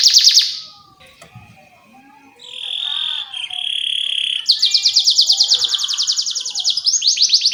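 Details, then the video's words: Canary training song for young birds: a burst of chirps, a quieter stretch with faint low sounds, held whistled tones, then a fast rolling buzzy trill and chirps. "PANCINGAN Kenari GACOR PANJANG Cuit CUIT EMOSI ini AMPUH utk MASTERAN Kenari PAUD belajar BUNYI"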